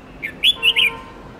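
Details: Red-whiskered bulbul singing a long, many-voiced training song for young white-cheeked birds; a brief phrase of four bright, whistled notes, a short first note then three louder slurred ones, over faint background hiss.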